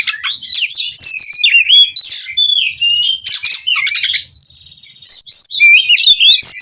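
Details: White-rumped shama, a bred bird from Cirebon, singing a continuous rolling song: varied whistled phrases, buzzy rattles and quick rising and falling notes delivered without pause.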